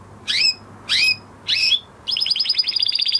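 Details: Singing male canary following its moulting period: three loud swooping chirps spaced evenly, then a brisk high-pitched trill of rapid repeated notes.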